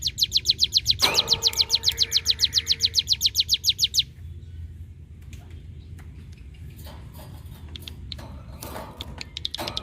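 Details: Hill prinia (ciblek gunung) song used as tutor material for magpie-robins, leafbirds and shamas: a rapid, even run of about twenty sharp high chirps over four seconds, then quieter scattered notes.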